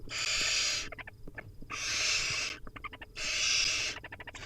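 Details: Wild barn owl nestlings at feeding time calling from a nest box: long harsh hissing screeches, each close to a second, repeated with short gaps, clicks and scuffling between them.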